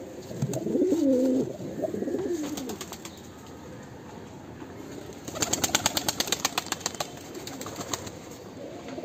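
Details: Mumbai fancy pigeons, a breeding pair: a short burst of low gurgling coos at the start, then rapid clattering like wing flaps.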